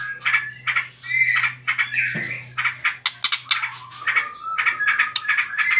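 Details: White-rumped shama trotol lure song for provoking other birds: mixed whistles, harsh chatter and sharp clicking notes in quick phrases, with a steady low hum in the first part.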